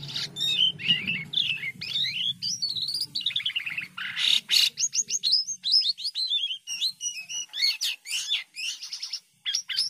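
A White-headed starling sings a rapid, varied stream of twisting whistles, slurred upslurs and harsh chattering bursts, high-pitched and nearly continuous, over a faint low hum.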